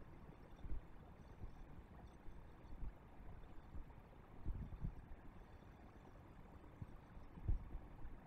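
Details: Quiet low-pitched rumbling with occasional soft knocks and thumps, and no animal voices.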